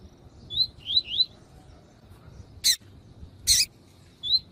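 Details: Male double-collared seedeater singing alongside a calling female to stimulate other males: three quick whistled slurred notes, a pause with two sharp broadband snaps, then a single final whistle.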